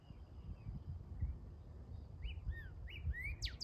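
Northern Cardinal giving clear whistled slurs, first rising then steep, fast downswept notes like laser zaps, over a steady low rumble.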